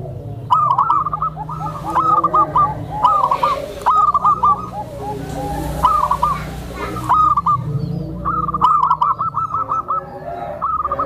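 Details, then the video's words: Soft call of a tame zebra dove, used to draw in other zebra doves and settle new birds; repeated short bursts of rapid staccato coos, with brief rustling noises and a low background hum. "SUARA PERKUTUT JINAK, LEMBUT, DAN MEMANCING PERKUTUT LAINNYA...⁉️COCOK UNTUK TERAPI PERKUTUT BARU"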